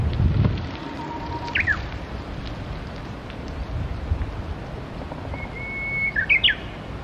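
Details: At the Tsurumi River a wild Japanese bush warbler sings twice: first a low held whistle ending in a quick down-slurred flourish, later a higher sustained whistle followed by a burst of sharp jumping notes; wind and low rumble throughout.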